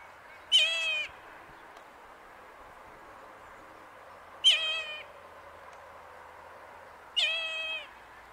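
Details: A Tasmanian nativehen chick, recorded close up in Tasmania, Australia, gives three thin, wavering, rich-toned calls about half a second long, a few seconds apart, over a soft background hiss.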